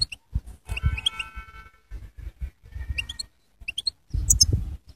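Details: A singing goldfinch gives scattered high, twittering chirps in small clusters, with a few steady tonal notes in between, against low knocking and thudding sounds.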